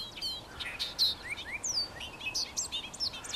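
A Bobolink pours out a bubbling, tumbling jumble of high metallic notes, quick chirps and swooping slurs tossed together in a rapid, uneven rush.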